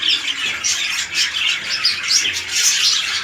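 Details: Red-eye lutino budgies in a breeding pairing, big male and small female; quick bursts of high squawky chirps and short whistled notes in a busy, irregular stream.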